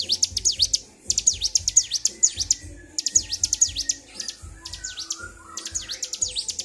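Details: Excited bar-winged prinia singing in repeated rapid phrases of high sweeping notes, slightly softer here, with brief pauses between phrases and faint low background sounds.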